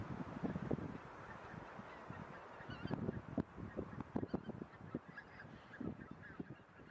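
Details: Mixed flock of several thousand geese, mainly White-fronted, grazing in a polder on 26 January 2017 alongside Tundra Bean, Egyptian, Barnacle and a Pink-footed Goose; rapid, overlapping honks and cackles, busiest in the middle, fading slightly toward the end.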